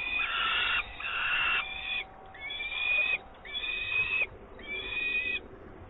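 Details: Peregrine falcon, an adult carrying live prey to the nest in Włocławek, 24 May 2022: rasping, harsh cries with short gaps, later ones ending in an upward-bent whine, about five in six seconds.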